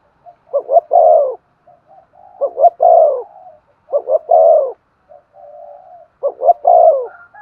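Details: Spotted dove cooing to spur another dove to sing. Four even phrases, each two brief pulses then a sustained mellow coo, are separated by quiet, low murmured cooing.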